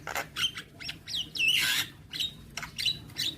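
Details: Javan myna in rapid harsh chatter: dense bursts of scratchy squawks, a swooping whistled note, and a loud rasping noise, almost continuous.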